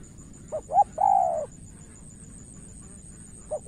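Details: Spotted dove from Cà Mau, Vietnam, decoy facing a seasoned rival: one full cooing phrase, two short clipped notes and a long slightly falling coo, then quiet before the next phrase begins at the end.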